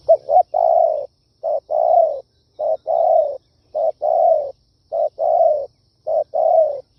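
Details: Spotted dove giving a lure-style kích bổi call: mid-pitched coos in paired phrases, a short clipped note followed by a longer, slightly falling one, repeated roughly once a second against a quiet background.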